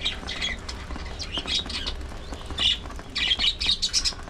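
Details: Pet parakeets at early morning feeding time chatter in bright, squeaky warbles and quick chirps, with short pauses between bursts and a faint low hum beneath.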